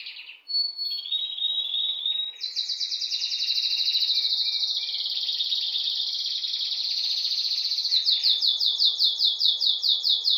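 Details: Loud bird song recorded at home: after a short high note, a sustained, very fast shrill trill steps upward and runs on, ending in a series of distinct rolling pulses repeated several times a second.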